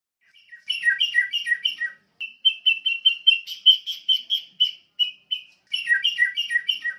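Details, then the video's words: Sooty-headed bulbul (Pycnonotus aurigaster) singing bright, bubbly, liquid notes in quick runs of four or five per second, with a brief pause, then more steady chirps; no other sounds. "SUARA BURUNG KUTILANG"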